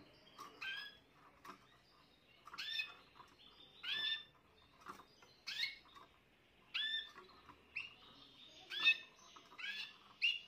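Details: Spanish Timbrado canary, a young bird of this year, recorded 14 June 2023, singing a run of bright, ringing, falling phrases roughly every second, separated by soft clicking notes.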